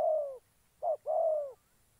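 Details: Decoy spotted dove from a trapping setup in Gia Lai, Vietnam, giving a single phrase of three coos: a long falling note, a brief clipped one, then another long drawn-out note.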